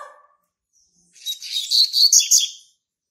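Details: Young brown-plumaged male Double-collared Seedeater, hatched March 2019, singing to mark its territory: after a second of near silence, a burst of about one and a half seconds of rapid, slurred, buzzy whistled notes, high-pitched and rising toward the end.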